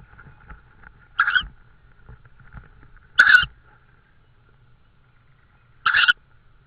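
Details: Estonian tawny owl, evening of 16 May 2013, around prey deliveries; three short hoarse screeches spaced about two to three seconds apart, with soft rustles between and a faint constant tone behind.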